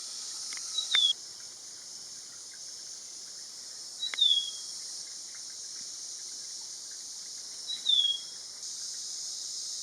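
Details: Black-capped babbler in Nakhon Si Thammarat province, southern Thailand: a thin, high whistled note slurring downward, given three times about every three to four seconds over a loud, steady insect drone.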